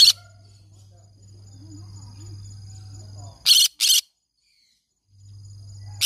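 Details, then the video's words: Green-cheeked conure parrot kept as a pet, with a loud rasping squawk at the start, a close pair of screeches midway and one more at the close. A low hum and faint chatter fill the pauses. "green cheek conure parrot sounds"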